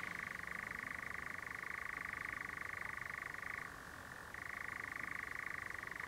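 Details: Near dusk at Clumber, a European nightjar gives a sustained, even churr of fast pulses that drops briefly to a lower pitch midway, then steps back up to its first level.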